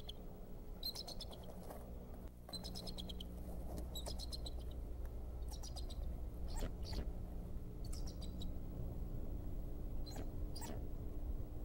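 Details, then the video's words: Decorah male bald eagle calling an alert on 26 February 2014, possibly during pursuit of an intruder near the nest holding a new egg. Repeated short series of shrill, staccato chirping notes, some single sharp calls, against continuous low-frequency background drone. "Dad gives alert. Pursued Mom an intruder???"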